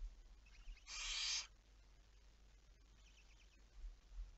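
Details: Barn owl at night, 11 May 2019 around 23:34: one harsh, hissing screech of about half a second, with faint high chittering notes before and after and a low background rumble.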